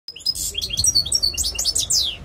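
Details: European goldfinch singing, bright twittering run of rapid tinkling notes and short buzzy trills, steady and continuous with slight low background rumble.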